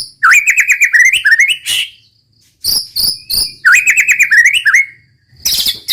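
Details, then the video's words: Roll tembak song of a white-rumped shama: fast trilled, warbling phrases rising in pitch alternate with short harsh crackling bursts, separated by brief silences. "muraibatu roll tembak ajib bikin lawan naik emosi dan ikutan gacor MURAIBATU GACOR | SHAMA BIRD"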